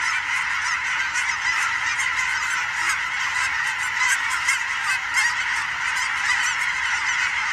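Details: Migrating geese in huge flocks passing overhead with sandhill cranes on an Oregon fall evening, giving a thick wall of steady, overlapping nasal honks that never let up.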